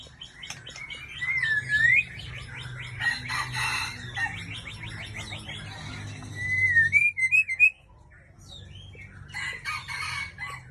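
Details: Aceh white-rumped shama, a breeding female, singing: a rising and falling whistled phrase, dense chattering, then a second clear whistled run with quick twitters, over a low humming background.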